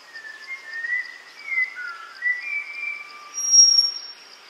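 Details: Malabar whistling thrush at a water hole in Tamhini forest, Western Ghats, India, in hot May, with several birds visiting to cool off: a rambling string of clear, human-like whistled notes sliding up and down over a steady high insect drone.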